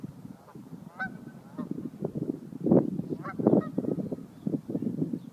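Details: Geese drive a dog from their territory, calling in a steady run of nasal, overlapping honks with a few higher, cracked notes standing out.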